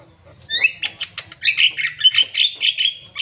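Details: Asian pied starling singing energetically: after a quiet half second, a rapid string of scratchy chatters, buzzy notes and short whistles runs continuously to the end.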